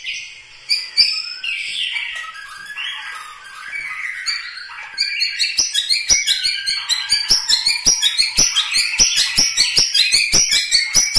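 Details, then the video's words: Song of a Medan Bahorok Bukit Lawang white-rumped shama: warbled varied phrases giving way to a fast, steady series of sharp clicking notes repeated about two or three per second under high twittering. "gaya dan ciri khas suwara murai batu Medan Bahorok bukit Lawang asli"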